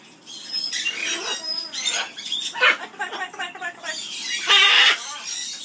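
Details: Amazon parrot singing in an aviary, a loud, talky, chattering skimmeradinkadinkadink song of buzzy harmonic syllables and a sharp shrill burst near the end.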